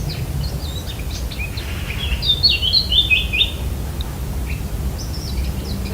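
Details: Eurasian blackcap recorded near a villa in Italy, where the birds were heard constantly; a brief burst of fast, varied warbling notes in the middle, amid scattered high chirps and low background rumble.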